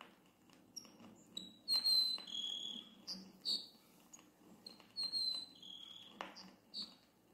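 Grassland Sparrow song: thin, high whistled notes that slide and waver, with a short phrase given twice a few seconds apart. A few faint clicks sit underneath.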